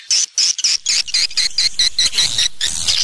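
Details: Swiftlet sound: a fast run of short, high, clipped chirps, about four per second and slightly irregular, each note bright and squeaky.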